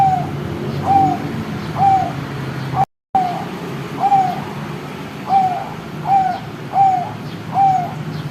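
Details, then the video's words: Perkutut, a zebra dove that is still very young, giving a string of short cooing notes, each slightly bending down at the end, spaced about 0.8 seconds apart, with a constant low background hum and a short gap in the middle. "PIYIK SUARA BLON KELUAR"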